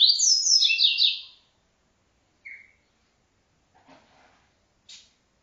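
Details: Double-collared seedeater's TuiTui-style encarte song: an opening burst of high, buzzy, descending-stepped notes, then a lone chip and a few faint clicks spaced over several seconds.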